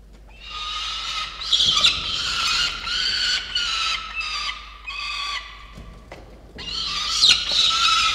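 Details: November falcon-cam recording of peregrine chicks at the nest: a run of ragged, squealing cries in quick pulses, then a brief lull before another loud scream near the end.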